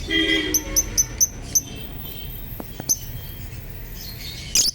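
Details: Violet and violet euwing Fischer's lovebirds, captive pair; a quick series of five sharp high chirps in the first two seconds, then scattered chirps and clicks over steady background hum.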